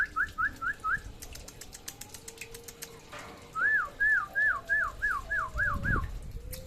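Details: Samyong from NTB singing actively: a run of five looping whistled notes, a pause with faint clicks and rapping, then a longer series of about seven rolling, wavy whistles at a steady mid pitch.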